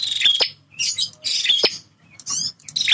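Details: Male bar-winged prinia, a territorial fighter, giving harsh buzzy high phrases with sharp clicks, three bursts in quick succession over a faint low hum.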